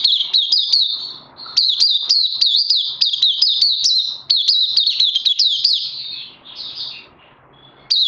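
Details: Caged oriental white-eye, 31 May 2020, in fast high twittering song of rising and falling notes about three a second, trailing off into softer notes and a pause near the end.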